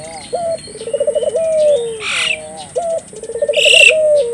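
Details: {'caption': 'Collared dove cooing as a lure for local doves: two phrases, each a clipped opening note then a fast beating trill trailing into a sustained tone, with bursts of high chirping between.'}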